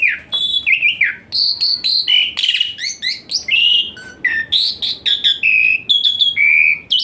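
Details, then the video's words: Jalak suren, the Asian pied starling, giving a filled song with hot-shot phrases used to coax a reluctant bird into singing: rapid mix of clear whistled notes, harsh clicks, and sliding tones delivered almost without break. "Full Isian Mewah TEMBAKAN PANAS Khas Jalak Suren UNTUK TERAPI Jalak Suren Malas Bunyi Jadi Rajin"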